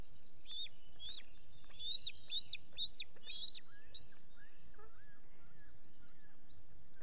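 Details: Osprey male feeding chicks at a solar-powered nest camera, Salt Point, Finger Lakes, US, early morning of 14 June 2021. A quick run of loud, shrill, upslurred whistled chirps about twice a second, then softer lower notes, over a low background hum.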